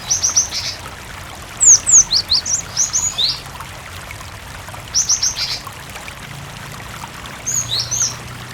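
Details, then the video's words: Prolific cinereous tit song with added water sound, meant to set other tits singing; rapid high chirp series alternating with sweeping, falling whistles, four bursts in all, over a constant stream background. "Masteran suara Burung Gelatik Batu gacor sangat ampuh pancingan gelatik berkicau"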